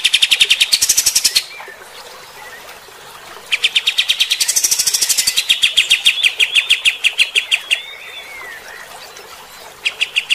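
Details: Kapas tembak bulbul delivering harsh 'tembakan kasar' song to provoke fighter-type birds: dense bursts of rapid grating chirps separated by quiet spells, with a few downslurred whistles between bursts and a final short run.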